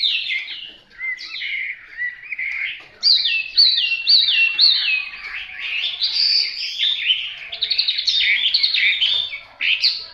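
A Hwamei sings a loud, rich run of varied whistled phrases, sliding notes and rapid trills, each phrase repeated a few times before switching.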